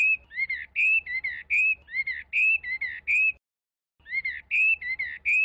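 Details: Chinese hwamei repeating rich slurred whistles in short bursts, with a pause of under a second before the phrases resume, and a low hum in the background.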